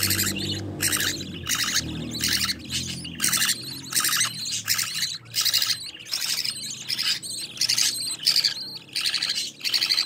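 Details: Budgerigar nestlings being fed by their mother beg continuously: rapid, rhythmic raspy buzzes, well over a hundred a minute, with a low humming sound at the start.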